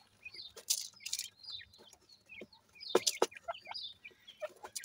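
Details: Grey francolin chicks playing together, giving thin high peeps and short rising chirps in irregular bursts, mixed with sharp scratchy clicks and rustling.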